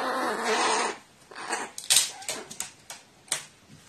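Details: Tame, affectionate crow indoors, recorded 14 April 2018, turning angry when petted the wrong way: a harsh, raspy drawn-out call lasting about a second, followed by scattered sharp clicks and rustling.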